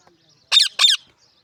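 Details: Pet parrot talking in a funny voice: two short, harsh, speech-like squawked syllables in quick succession, otherwise quiet.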